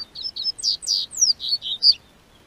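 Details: Double-collared seedeater in southern Brazil, singing as the weather turns warm in spring: about ten rapid, loud, high-pitched whistles and slurred notes, a few dropping steeply in pitch, ending abruptly.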